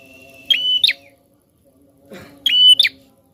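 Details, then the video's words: Prinia in full voice, used to spur other birds into song, gives two loud harsh phrases about two seconds apart. Each is a level buzzy note ending in a quick falling flick, over a constant low hum. "Prenjak Gacor Ngotot Ampuh Rangsang Bunyi Burung Bahan"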